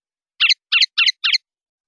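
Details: Linnet (pardillo), clean 'limpio' style from Spanish silvestrismo, 2019/2020: four quick, rasping twittered notes evenly spaced in under a second, without other sounds.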